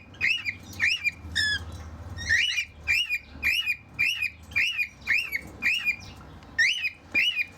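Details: Male cockatiels in a backyard aviary singing to each other: a steady series of about a dozen short, arched, chirpy whistled notes, roughly two per second, over a low background rumble.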